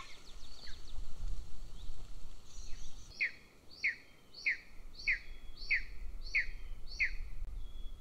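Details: Golden eagle chick at a nest in Northern Estonia near a military training field, begging while its elder sibling is fed; a series of thin descending whistled calls about every 0.6 seconds, with steady low background rumble.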